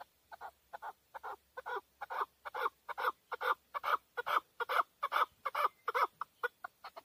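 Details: Male chukar partridge, Tajikistan, 2020, delivering a long, regular train of loud clucking chuk notes at a little over two per second, growing louder after the first few notes.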